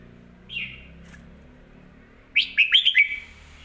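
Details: Caged red-whiskered bulbul song: a brief rising whistle, then after a pause a loud burst of four or five quick warbled, fluting notes.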